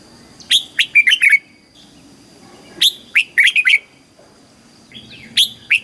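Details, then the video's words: Red-whiskered bulbul, caged in Thailand, with southern master-style song used to excite birds and coach young; repeated phrases of a sharp opening note followed by a fast chatter of four whistled notes, about every two and a half seconds. "เสียงนกกรงหัวจุก สำหรับต่อ หรือ เปิดให้นกคึก"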